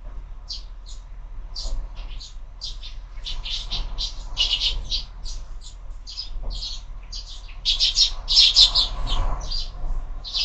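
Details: Morning sparrows at a window-mounted feeder chirp in uneven bursts, starting sparse and building into a busier, louder chorus of overlapping notes near the end.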